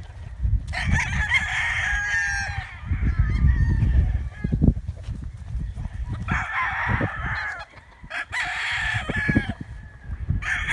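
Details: Chickens and roosters: three separate crows ring out, each around a second long with a wavering tail, over a constant low rumble of background noise.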